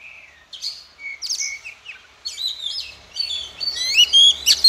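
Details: Female Oriental magpie-robin singing to spur the males: varied whistles and chirps that start sparse and build into a fast, loud twittering warble.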